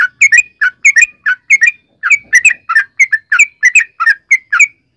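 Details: Yellow-vented bulbul song meant to lure other bulbuls into singing: a steady series of paired, bubbly two-note phrases, each a falling then rising chirp, repeated about every third of a second.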